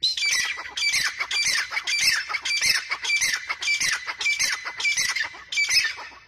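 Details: Grey francolin calling: loud, harsh squawking notes with a strong high ring, delivered in quick, rhythmic repeated bursts roughly every half second throughout.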